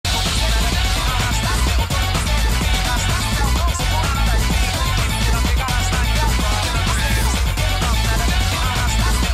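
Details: Loud, dense electronic dance music with a heavy bass beat throughout and no animal sounds.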